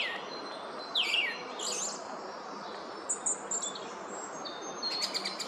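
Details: Woodland song thrush at Oostvlietpolder, 24 February 2021. It gives a quick downslurred whistle, a rough burst, then thin high notes and a scratchy repeated phrase near the end, over a constant soft hiss.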